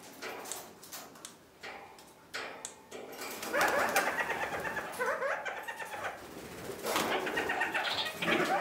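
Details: A male red-crowned parakeet courts another male kakariki: a rapid, scratchy chatter of harmonic notes, starting in short bursts then running on continuously, echoing in a small room.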